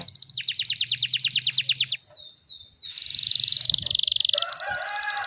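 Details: Dense, fast canary song used as a tutor recording: a rapid series of descending sweeps, a short pause with soft whistled notes, then buzzy high trills; a faint low hum underneath.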